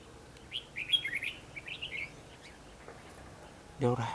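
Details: Red-whiskered bulbul used as a decoy during bird trapping in Hòa Bình, Vietnam, 28 March 2016; a quick run of lively warbled chirps, then a man's voice breaks in near the end.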